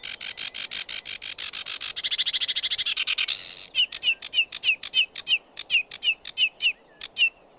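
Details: Rapid scratchy chatter from a sedge warbler, speeding into a dense trill, then breaking into evenly spaced sharp notes with short downslurred whistles, about three per second.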